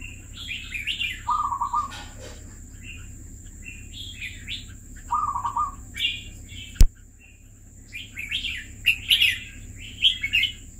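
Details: Caged red-whiskered bulbul, kept two years, singing: warbled phrases of bright, rolling notes with a lower fluted run, repeated in bursts, with a sharp click partway through.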